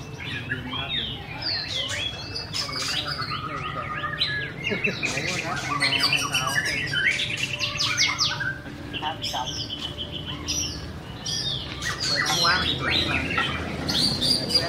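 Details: White-rumped shama song, a dense and busy stream of whistled slurs, rapid clicks and buzzy trills, many notes overlapping, with a low background hum and brief held tones in the middle.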